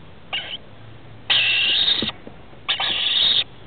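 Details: Begging from two rainbow lorikeet nestlings, aged 21 and 17 days, in a roof-space nest, recorded 23 October 2013 at feeding time: one short harsh buzz, then two long grating rasps, each about three quarters of a second.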